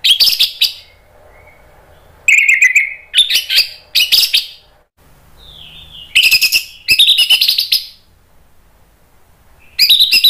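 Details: Anis merah, the orange-headed thrush, singing gacor with a loud open voice: dense high twittering bursts roughly every one to two seconds, separated by quiet gaps with a soft low hum.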